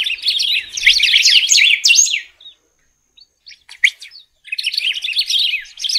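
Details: Golden-billed saltator singing a fast, jumbled run of twittering, slurred notes for about two seconds, a brief pause with scattered sharp chips, then another busy warbled burst.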